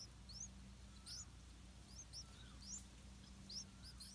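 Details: Yellow-vented bulbul nestlings hidden in an areca palm, calling while parents feed them insects. Irregular high, rising squeaks from more than one chick, fairly soft, with a steady low hum in the background.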